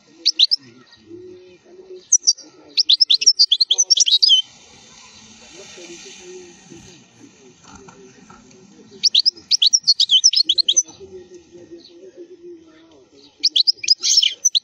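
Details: European goldfinch khalwi song for teaching young birds: three bursts of rapid high twittering and buzzy trills, with a long gap of hissy noise and low background murmurs between them.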